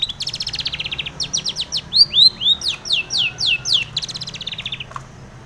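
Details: Morning lure recording of a female long-tailed shrike for caged birds: a rapid stream of high buzzy chips turning into a series of falling, slurred whistles, then stopping abruptly over a faint low hum.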